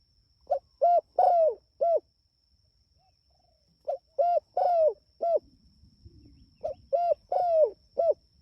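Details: A spotted dove calling its companions repeats the same four-note cooing phrase three times, roughly every three seconds, each with a long falling third coo; soft rustling noise and faint steady high whine behind.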